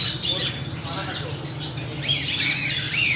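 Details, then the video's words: Parrots calling with harsh, scratchy squawks high in pitch, some short whistled notes near the end, over a steady low hum. "Extreme noise of parrots"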